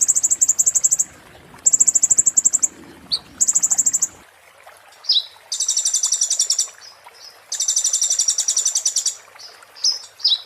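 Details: Oriental white-eye with 'muntah beling' song, a tutor for magpie-robins and shamas: short high rattling bursts and sharp chips, then two longer, fuller, buzzy trills of rapid notes.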